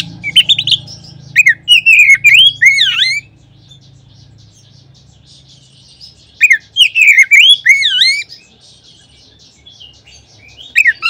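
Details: Oriental magpie-robin song used as a lure for other magpie-robins. Two bursts of bright warbling whistles with looping, dipping notes are separated by a silent pause of about three seconds. A faint low hum sits beneath.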